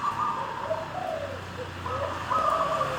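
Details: Wild-caught local zebra dove singing its anggungan and ngorok styles: soft, low, hollow cooing notes strung in uneven rolling phrases, with a faint continuous low hum in the background.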